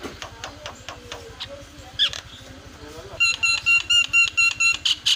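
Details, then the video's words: Lure recording to set a quiet starling chattering: soft scattered ticks and a brief whistle at first, then a loud, even series of sharp clicking chirps about four per second to the end. "SEKALI PENCET JALAK LANGSUNG PADA CEREWET"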